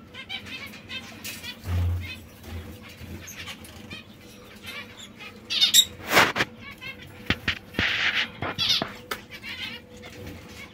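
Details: Small white zebra finches give short, high, nasal chirps, scattered irregularly with a few quick bursts, alongside soft clicks, a low thump and faint background hum.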